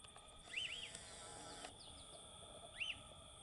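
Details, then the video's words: Lesser elaenia (Elaenia chiriquensis), a wild bird in Brazil, giving a quick pair of arched, slurred whistles, then a lone matching note two seconds later, over faint high chips and steady background hiss. "CANTO DO PÁSSARO Chibum"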